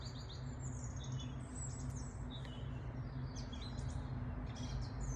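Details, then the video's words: Several small birds in a garden sing high, quick chirps and short twittering phrases throughout, over a steady low rumble of background noise. "Beautiful Birdsong"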